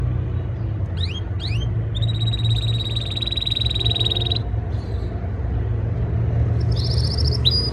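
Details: Canary in breeding season singing to impress a female: a few rising chirps, then a long buzzy trill held about two seconds, a short note, and another trill at the end, over steady low background hum.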